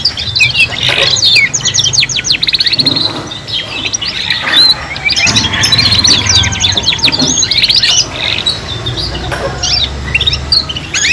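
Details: Three young canaries singing jointly while learning: bursts of fast ticking trills and warbled whistles, separated by quieter gaps of scattered notes, with a low mechanical hum throughout.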